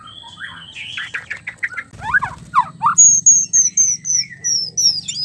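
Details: White-rumped shama, used as therapy for a male that stops singing or lacks mating drive; slurred whistles and quick descending sweeps, then a run of very high thin notes repeated about three per second.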